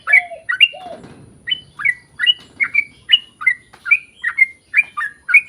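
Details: Energetic sooty-headed bulbul song in long-roll style, played to coax birds of the same kind into singing: rapid, evenly spaced bright chirped notes, each rising then falling, with a short rustling burst near the start.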